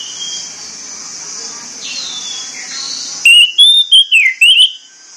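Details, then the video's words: Orange-headed thrush morning song, played to excite the bird into singing: after a faint hissy background, a loud burst of clear, rich whistled notes rising and falling, five quick phrases in under two seconds. "SUITAN PAGI ANIS MERAH"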